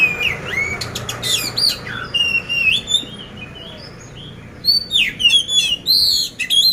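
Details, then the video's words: Caged poci oriental magpie-robin in Magelang, Central Java, ready for competition with coarse-filled song: loud sharp chirps and wavering whistles in bursts, a quieter gap, then renewed swooping whistled phrases. "poci gacor isian kasar"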